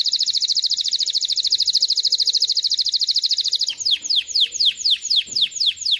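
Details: Canary singing to teach chicks and prepare females for mating: a long, very fast, piercing trill for almost four seconds, then a series of sharply descending whistled sweeps repeated about twice a second.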